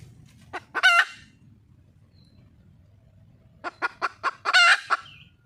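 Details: Female wild junglefowl calling for a male, two bursts of a few accelerating clucks climaxing in a loud rasping squawk, separated by about three seconds of quiet low rumble.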